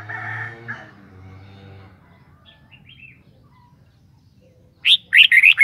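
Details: Red-whiskered bulbul: an opening harsh, buzzy chatter and low hum, then a late burst of four cheerful, warbled whistled notes in quick succession.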